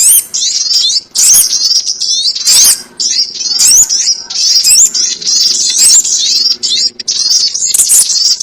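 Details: Trapping lure of sogon birds: continuous shrill twittering with quick upslurred squeaks in overlapping bursts, briefly pausing near one and two and a half seconds.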